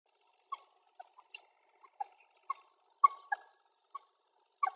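Common moorhen giving short, abrupt clucking notes around mid pitch, spaced irregularly about every half second to second, with a few sharper clicks in between.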